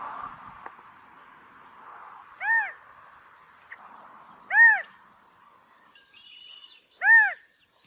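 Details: California quail mating calls: three single loud arched notes, each swelling and dropping, spaced about two seconds apart over a steady low hiss, with faint higher chirping near the end.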